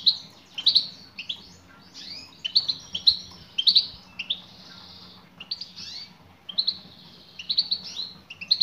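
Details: Female European goldfinch calling to a male, meant to prompt a male goldfinch to sing: bright, high twittering chirps in short clusters, separated by brief pauses, with a faint low hum underneath.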